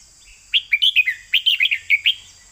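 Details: Red-whiskered bulbul kept as a cage bird, giving the เบิ้ล2เบิ้ล3 song style. It is a quick, lively phrase of around ten liquid, slurred whistles rising and falling, delivered in under two seconds over a constant high-pitched hum.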